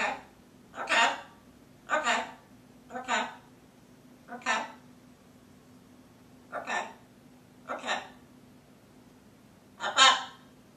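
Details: A female pet blue-and-gold macaw talks to herself in short, raspy, speech-like mumbled phrases, about eight bursts spaced a second or so apart, in an otherwise quiet room.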